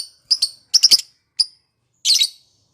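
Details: Lovebird heard as a lure for rival lovebirds: clusters of quick rasping high chirps, doubled and tripled notes, then one buzzy chattering burst.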